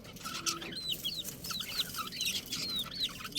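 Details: Baby chicks calling with high, curved, falling cheeps in a steady stream, several overlapping, set against a noisy, hissing background.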